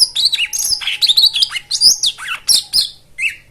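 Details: Rich fill-in white-eye song meant to coax birds that have stopped singing: rapid, varied high twittering with slurred, swooping notes tumbling over one another, then a few separated chirps near the end.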